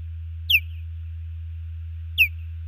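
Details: Female osprey calling at a nest in Hellgate Canyon, Missoula, Montana, on 15 June 2019 while her mate defends against an intruding osprey flying over. Two sharp, high, downslurred whistled chirps about two seconds apart over a steady low hum.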